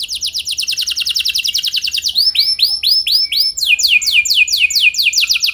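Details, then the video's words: Canary in full song as a training recording for other canaries, a quick rolling train of downward-sweeping whistles, then slower arched notes, then a fast series of sliding notes again. "Pancingan Burung Kenari Ampuh Bikin Kenari Lain Auto Gacor Ngeroll Panjang | Canary Singing"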